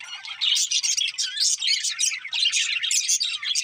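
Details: Pet budgies warble while eating, giving quick pulsed chirps and buzzy notes in a lively, bouncing rhythm of short phrases.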